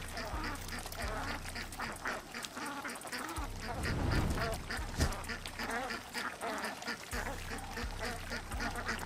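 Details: Duck giving a rapid series of raspy, nasal quacks in uneven bursts, growing denser mid-way, with a low rhythmic thumping in the background.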